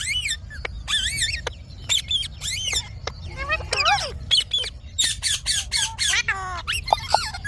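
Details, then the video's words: Pet Indian ringneck parakeet, a green talking parrot, letting out loud harsh squawks and wavy shrill chirps in bursts, some rapid rattling notes, separated by brief silences. "Talking parrot video|Ringnek parrot video|Parrot voice"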